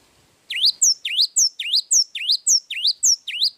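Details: Long song of a Java sparrow: after brief quiet, a rapid, regular train of bright, high V-shaped chips with thin squeaky overtones, repeated nearly twice a second without pause.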